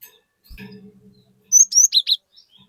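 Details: Cinereous tit in captivity singing loudly to encourage other birds to sing; a soft low hum, then a quick phrase of five or six bright, high whistled notes.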